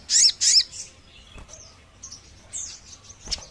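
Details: Sogon bird call, played to lure birds: two loud, high, rapid chirp bursts open the clip, followed by fainter thin descending whistles and scattered chirps over a quiet background.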